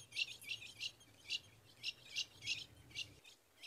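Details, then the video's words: In the caatinga of Rio Grande do Norte, a female ultramarine grosbeak gives sharp, high chip notes, about three a second, calling to invite the male to mate, over a faint low hum. "Fêmea de azulão chamando e pedindo gala para esquentar o macho"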